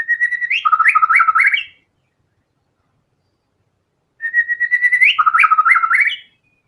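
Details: Lively white-rumped shama song rich in learned material: two matching phrases several seconds apart, each a steady whistle followed by rapid stepped, trilled notes dropping and rising again.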